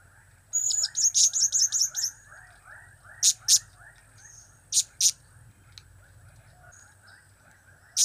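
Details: A blue-crowned hanging parrot opens with a quick trill-like string of thin high notes, followed by sparse single sharp chirps; cap, kiak and crap call styles against a soft hum.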